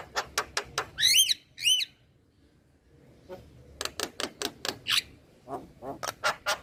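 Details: Male Javan myna sings: a run of crisp clicks, two looping whistled phrases, a short pause, then rapid clicking notes resuming.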